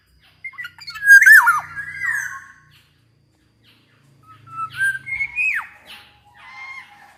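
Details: Black-naped oriole singing lively, used to coax sluggish orioles into song: two bursts of rich fluting whistles with a sharp downward-swooping note, separated by a second of silence.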